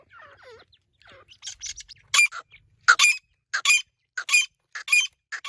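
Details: Partridge (Irani teetar) voice: soft wavering squeaks open the recording, then loud, rasping, broadband notes follow in pairs and singles at roughly two-thirds-second intervals.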